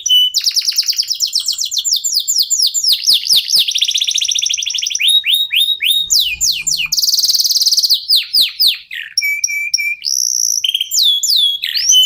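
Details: Local canary (kenari lokal) singing continuously, used as a lure to get other songbirds singing: fast repeated rising sweeps, dense rapid trills and buzzy rattles, with short steady whistled notes near the end.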